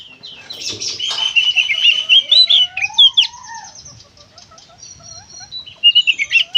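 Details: Kacer (Oriental magpie-robin) in energetic gacor konslet song: a harsh rasping start, warbled whistles and chattering trills, a lower sliding whistle, then rapid sharp notes at the end.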